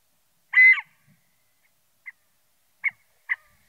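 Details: A drawn-out, buzzy nasal note from a scaled quail followed by three short, sharp calls, the last two close together, in otherwise silent surroundings.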